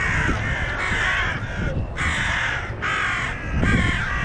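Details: Crows in Hyde Park mobbing and scolding a passing dog, worked up by its visit: harsh, hoarse caws in bursts of about a second, several in a row with short gaps, over steady low background rumble.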